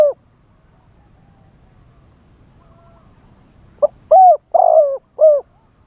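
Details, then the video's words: Live decoy spotted dove singing in wild style (kharam pa) to lure wild doves; after a quiet stretch comes one phrase of four cooing notes, a short lead-in followed by three fuller, rounded coos. "เสียงต่อนกเขาใหญ่ คารมป่า 100 % ต่อสด"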